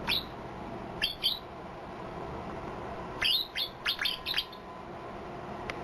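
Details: Sparse white-eye song with an unusual fill-in: a lone chirp, then a pair of down-slurred notes, and later a quick run of five bright chirps, over soft hiss.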